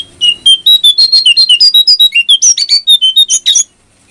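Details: Brown prinia in full, fast song, played to make other birds sing more: a rapid rattling run of about twenty loud, sharp chirping notes that shift up and down in pitch, lasting over three seconds before stopping abruptly.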